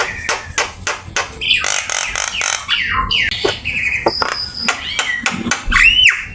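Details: Javan myna song recorded for teaching caged birds, full of varied phrases: harsh clicking and rasping strokes alternate with steady whistled tones and slurred notes, ending in a loud arched whistle.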